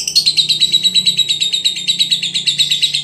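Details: Veronica lovebird from Brebes chattering in quick buzzy pulses, a shrill trilling stream about three notes a second over a low background hum.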